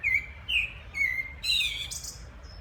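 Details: Common blackbird singing in the background: three rich, fluty whistles in quick succession, then a higher, squeaky twittering finish, with a low rumble beneath.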